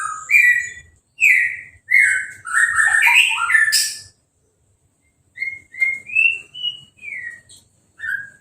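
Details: After its moult and a hose-spray bath, an uncovered caged orange-headed thrush delivers loud, rich whistles and jumbled rapid notes, then a calmer sequence of separate clear whistles, each rising or falling, with brief gaps between them.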